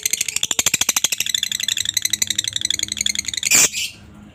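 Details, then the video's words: Lovebird ngekek, a long chatter meant to prompt other lovebirds to answer: fast, dense, harsh chattering notes pouring out without pause, ending in one loud rasping squawk. "pancingan Lovebird ngekek panjang ampuh buat Lovebird apa saja langsung nyaut dan rajin bunyi"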